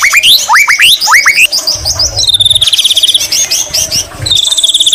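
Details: White-rumped shama singing with greater green leafbird (cucak ijo) imitations: upswept whistles in pairs, then a fast high rattling trill held for over a second, repeated after a short pause.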